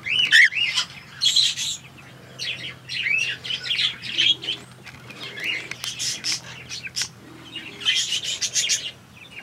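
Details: Grey cockatiel, a pet bird, giving repeated chirping and warbled calls in bursts of about a second, with short pauses between them and a low steady hum behind.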